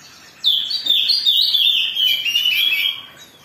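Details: Emotional Oriental magpie-robin song used as a provocation to get others singing: a loud, continuous, buzzy phrase of wavering notes gradually dropping in pitch over two and a half seconds.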